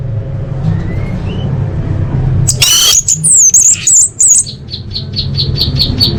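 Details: Orange-headed thrush song used as masteran training audio for caged birds: faint thin whistles, then a loud burst of rich, rapid, harmonic phrases followed by a run of short evenly spaced chirps, over low background hum.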